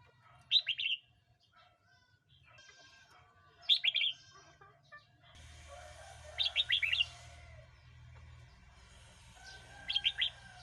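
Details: Red-whiskered bulbul song for luring wild birds or teaching young: brief sweet trilled phrases recurring roughly every three seconds over a steady low hum and faint background chirping.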